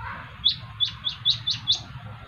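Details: Van Hasselt's sunbird (kolibri ninja) calling with another answering: six sharp, upward-flicking high chirps spaced about a quarter second apart, over a faint low background rumble.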